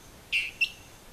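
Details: Dwarf Tyrant-manakin near Mitú, Vaupés, Colombia: a single high, thin two-part note, a longer slurred whistle followed by a short sharp tick, against quiet forest background.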